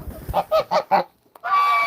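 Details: A female domestic goose, anxious and crying while being held, gives a quick run of nasal honks, then one longer drawn-out, sad-sounding honk.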